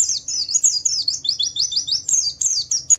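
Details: Loud, high-pitched chattering from a Wiklus Wiksar Javan white-eye in ngalas style, used to get other white-eyes singing: a rapid chain of short, bright chirps with a few rising notes.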